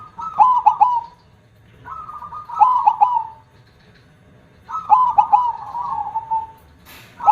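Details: Perkutut, the zebra dove, singing in the loud KONG style: three drawn-out cooing phrases, each opening with punchy clipped notes and trailing into a steady hum.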